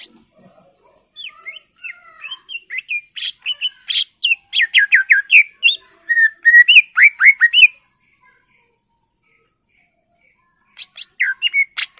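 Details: Highly excited greater green leafbird pouring out a continuous varied song to draw other birds into singing: quick whistled slurs, chattering chips and downslurred notes that grow louder, a long silence, then another burst of sharp notes.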